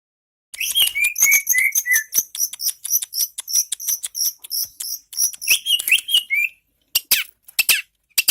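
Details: Long-tailed shrike singing in Indonesia: rapid scratchy high ticks and buzzy notes, with short sliding whistles in the first half, a second run of slurred whistles near six seconds, then a brief silence before more harsh chatter.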